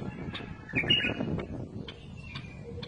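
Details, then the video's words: One quick, bright warbled phrase from a bulbul near the one-second mark, then fainter high notes later, over rustling background noise. "تغريد بلبل"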